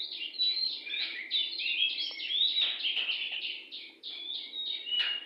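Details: Wild oriental magpie-robin singing persistently near a house: a dense, rapid stream of high, sweet whistles, trills and slurred notes, varied phrase after phrase with hardly a pause, over a faint low hum.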